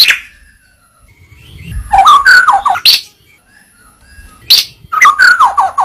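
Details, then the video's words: Tutoring recording of white-rumped shama song: short bursts of bright whistled and warbling phrases separated by pauses of about a second, with a faint low rumble between phrases. "Masteran burung murai batu suata unik sukses bikin emosi"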